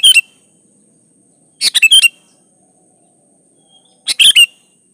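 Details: Sooty-headed bulbul singing to stir other bulbuls into song: repeated short chattering phrases of clicks and bright whistles about every two seconds, the first cut off at the start, over a faint steady high hiss.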